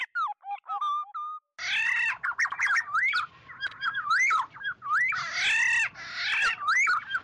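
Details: Oriole call used to gather the flock: opens with a few clean fluty whistled notes, then a loud run of rolling, liquid whistles mixed with harsh nasal squawks, steady low hum behind.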